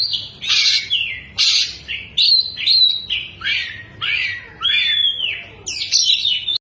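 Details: Oriental magpie-robin singing while spreading its tail, a long stream of loud phrases: harsh buzzy chatters, pure whistles sliding downward, and quick twittering notes borrowed from a lovebird, separated by brief gaps.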